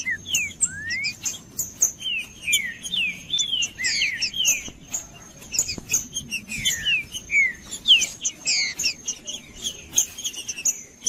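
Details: Green-winged saltator song played as a natural stimulating track to warm up a cold caged bird: a run of loud whistled slurred notes, rising and falling phrases in quick series, with a constant thin high tone behind.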